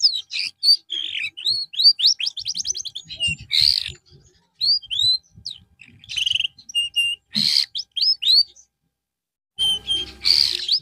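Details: Canary singing in a recording made as therapy after the bird lost its singing form: a fast, varied run of clear whistled notes, rapid rising trills and sharp chirps, broken by short pauses and a few harsh bursts.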